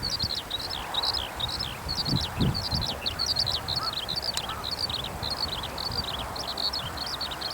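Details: Grounded in a farm field after its song flight, a Eurasian skylark sings on and on, a dense, high, tumbling run of chirps, warbles and short trills; a few soft low knocks occur midway.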